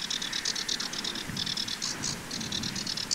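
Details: Common linnet, male and female, recorded in spring on 11 April 2023 in the Site Pierre Constant regional nature reserve, Pays de la Loire: a rapid twittering run of short, bright notes in quick even bursts, with a low rumbling background.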